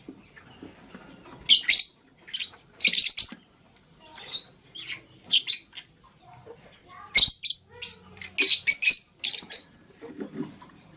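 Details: Lovebirds, green and blue, chirping in the morning while scrambling for vegetables: many harsh, shrill chirps come in irregular bursts and clusters, some doubled or tripled, with quiet pauses in between.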